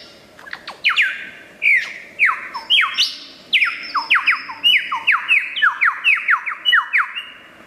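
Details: Wild superb lyrebird, endemic to Australia and famed for mimicking other birds, gives a loud fast series of downward-sweeping whistled notes, over a dozen in quick succession, each sliding sharply down.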